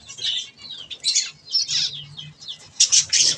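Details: Several budgerigars at softfood give sharp, squeaky chirps and warbled notes in short bursts about every half second, ending in a loud cluster of harsh squawky calls.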